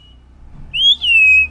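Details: A pet common hill myna in Bangladesh, living below an office and asked to whistle, gives a loud, pure two-part whistle: a short rising note, then a longer gently falling one, over a faint low hum.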